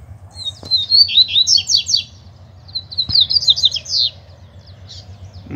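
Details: Male double-collared seedeaters answering a loose bird in song. Two phrases about two seconds apart: each begins with a thin whistle and climbs into rapid, jangling, repeated downstrokes, over a steady low hum with a few sharp taps.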